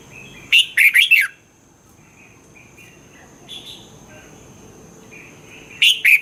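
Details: Caged red-whiskered bulbul, song used to stimulate caged birds; a loud burst of bubbly whistled notes opens, soft scattered chirps follow, then another loud phrase begins at the end.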